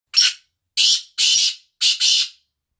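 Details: Black francolin (kala tetar) calling: a harsh, grating phrase of loud rasping notes. A short first note, then two longer drawn-out notes, then a quick linked pair, all against a silent background.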